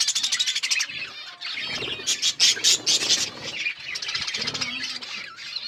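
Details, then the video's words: Several budgies chatter at once, a busy stream of high, scratchy chirps and warbles with short bright squeaks, loudest in bursts through the middle and never stopping for long. "Beautiful budgies colour birds chirping sounds"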